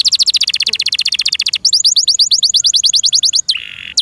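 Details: Pet canary in loud song, opening with a very rapid rattle of high notes, switching to a steady string of crisp downslurred whistles, then a short harsh buzz.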